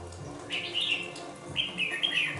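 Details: Young caged red-whiskered bulbul, two months old, gives two short bursts of bright, warbled chirping notes, the first near the half-second mark and the second after one and a half seconds, over a faint room hum.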